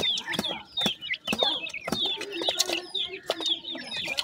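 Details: Feeding grey francolin chicks give a busy chorus of high, thin peeps and short downslurred chirps, many birds overlapping, with sharp knocking thuds punctuating the calls.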